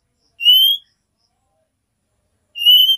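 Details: A female oriental magpie-robin calls the male with two loud, upward-sliding whistled notes about two seconds apart, a 'nyiul' call. Silence between them.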